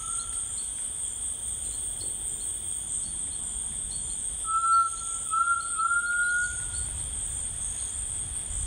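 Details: In the rainforest a grey tinamou gives a brief whistle, then a run of three joined, tremulous, rising whistled notes, amid a steady insect drone and faint ticking insects.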